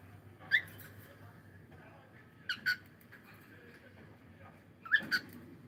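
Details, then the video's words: Cockatiel in the morning giving sparse short chirps: a single sharp note, then a double note, then another double chirp, separated by quiet pauses. "cute Cockatiel singing and sound"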